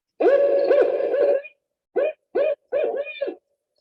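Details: Typical Barred Owl call from Connecticut: one long, wavering hoot, then three short, clipped hoots in quick succession. The hoots are hollow and mid-pitched, with no other sounds.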